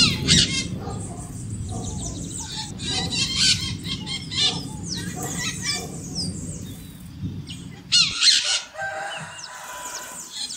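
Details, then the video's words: Scaly-headed parrot (maritaca) giving harsh, grating screeches in quick irregular bursts over a low background rumble that fades near the end. "Maritaca Gritando Cantando o Canto da Maritaca"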